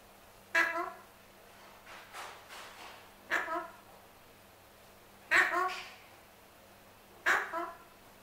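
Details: Male Alexandrine parakeet kept as a pet begs for his apple with a series of loud, grating squawks, some doubled, spaced irregularly every one to two seconds, with quieter chattering calls in between.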